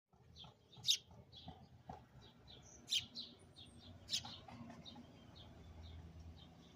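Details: Sparrow singing close up just outside a window: bright, short high chirps, some paired, sounding every second or two at uneven spacing over a faint low background hum.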